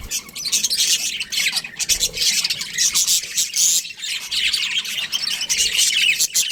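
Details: Colony of colourful budgies keeping up busy overlapping chatter: scratchy squawks mixed with quick high chirps and warbled notes, steady throughout.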